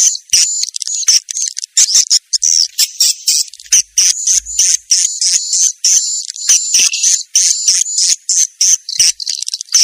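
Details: Swiftlet lure calls, said to be a mating call: continuous high-pitched chattering twitters delivered in quick bursts about three per second, with short pauses between phrases.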